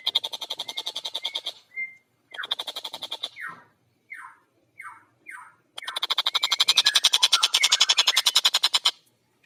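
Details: Long-tailed shrike singing with a clear voice and fast pace: runs of harsh chattering notes, a group of four separate downslurred squeaky calls, then a long dense rasping series.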